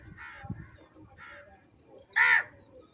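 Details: Two softer crow calls lead into a loud, grating caw as the birds fight for food.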